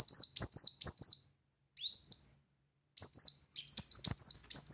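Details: Bursts of high, rapid chirping notes from a brown-throated sunbird singing loudly. A single rising whistled slur comes between them, followed by further quick twittering phrases.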